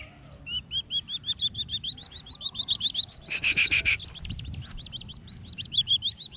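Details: Collared falconets during hunting training: rapid, high, sharply rising-and-falling notes with a ringing edge, repeated about three times a second in a steady chattering run, with one louder and denser burst near the middle.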